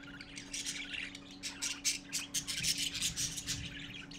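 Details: Parakeet chicks gathered together to see their father, 12-4-14 at 11:45 AM, produce a dense run of harsh, raspy squawks that pulse rapidly and grow louder midway, with a faint low hum beneath.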